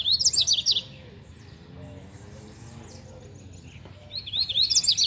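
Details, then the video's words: A captive double-collared seedeater (coleiro) sings rapid, high twittering phrases, with bursts of sharp zigzag notes at the start and end and a quieter gap between; the owner credits good management for its improved performance. "OLHA O DESEMPRENHO DOS MEUS COLEIROS"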